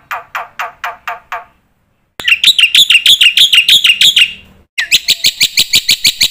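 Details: Black-winged myna delivering a lively master song full of mimicked phrases for training young birds; lower descending chips, silence, then a dense buzzy trill and a fast series of sharp repeated notes.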